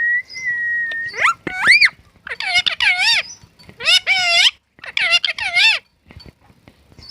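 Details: Talking parrot speaking naturally: a steady flat whistle, then a run of loud, harmonic, wavering speech-like syllables in quick bursts with short pauses, ending in a few faint clicks.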